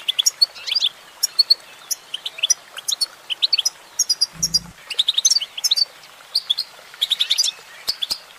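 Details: High, tinkling goldfinch song from a female, with chirps in rapid groups and slurred notes throughout, interrupted once by a brief low hum.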